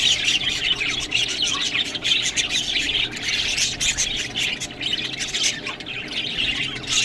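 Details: Pet budgerigars feeding on green food give a steady mass of high twittering and chirping. Many birds call over one another without pause.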